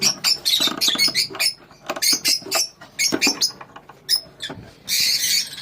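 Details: Lovebirds calling together in a colony: a dense run of shrill, high chirps and short squawks in quick bursts, with a brief gap before a harsher, noisy screech near the end.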